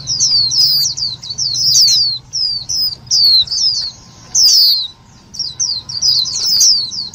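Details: Indian white-eye calls used as a lure for trapping and to stimulate other white-eyes: loud, clear run of high thin descending chirps and twittering notes in quick bursts, with short pauses between phrases and a faint low hum beneath.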